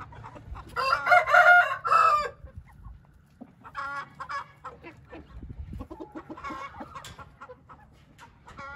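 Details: Hint rooster giving a loud, rich crow lasting over a second. Softer clucking and scattered calls from other fowl follow.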